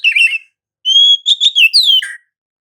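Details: Oriental magpie-robin (kacer) in continuous rolling gacor ngerol song, used as a lure to make other magpie-robins sing: a short buzzy warble, a pause, then clear sustained whistles and quick slurred notes rising and falling.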